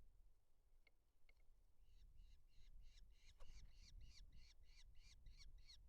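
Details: A Eurasian hobby at a forest nest in Dorset, southern UK, with two chicks hatched 16 July, gives a rapid, harsh series of ringing kew notes, about four a second, on 27 July 2025 around prey delivery, over steady low wind rumble.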